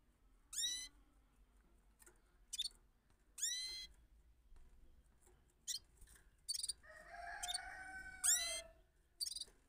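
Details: Bulbul singing, described as a rolling song: sharp, high notes that sweep steeply downward come in separate bursts, then a longer stretch of layered, sustained tones ending with another falling sweep and short high bursts.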